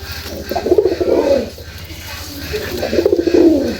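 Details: A pair-bonded domestic pigeon (red-border 'pagla dak' cock paired with a Jalali hen) gives two long, low, rolling coos separated by a brief pause.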